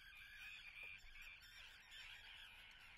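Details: Common terns at a nesting colony in Atlit, Israel, on 10 June 2010: a dense, continuous chorus of harsh, overlapping calls, with no single bird standing out.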